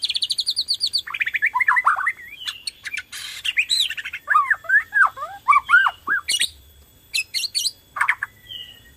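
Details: A Borneo-type white-rumped shama sings to trigger song in other shamas. It opens with a fast high chattering rattle, then slurred up-and-down whistles, harsh squawky notes and brief pauses between varied phrases.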